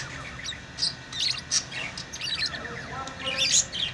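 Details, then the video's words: Pet lovebirds chirping: scattered high, sharp chirps and short squawky notes, several birds overlapping, with a steady low background hum. "Love birds beautiful Love ❤️ | chirping sounds"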